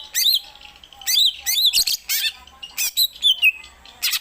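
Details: Greater green leafbird singing variations of its song at home, including the rarely performed Gereja Tarung style: high, bright bursts of chattering notes and slurred whistles separated by brief pauses.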